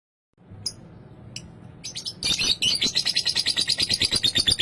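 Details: Lovebird ngekek song, meant to provoke rivals and spur other lovebirds to sing: a few scattered high chirps at first, then from about two seconds a fast, harsh, high chattering trill pulsing about three times a second.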